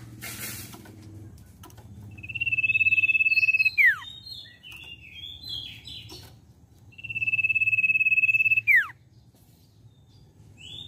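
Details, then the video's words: A Common Iora gives a long, steady, high whistle held about one and a half seconds, ending in a sharp downward slur, twice five seconds apart over soft chirps. "Pancingan CIPOH BAHAN Cepat Bunyi"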